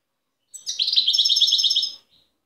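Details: Single brisk phrase from a wild Tiaret goldfinch, Algeria, 2015 recording: a quick chirp leading into a fast, even string of high tinkling notes lasting about a second and a half.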